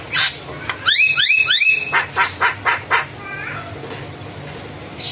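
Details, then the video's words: Javan myna in full song gives a loud, varied run: rising whistled sweeps repeated three times, then a series of harsh broad chacks about every quarter second. "Jalak Kebo Isian Gacor"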